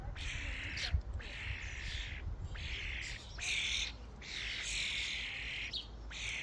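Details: Common starlings flocking at a feeding station call with long, grating, hissy screeches that run almost continuously in overlapping phrases, with low background rumble and one sharp knock.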